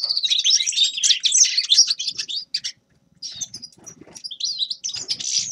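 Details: Grey-crowned goldfinch song: quick, jangling high twitters for over two seconds, then a short silence, then scattered chirps that build back into fast twittering.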